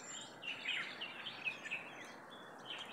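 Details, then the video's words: Several small birds in a fig tree, recorded 15 May 2023, twitter together in a busy chorus of short, high chirps and squeaks, overlapping every fraction of a second against a soft outdoor hiss. "Sound of birds in a fig tree"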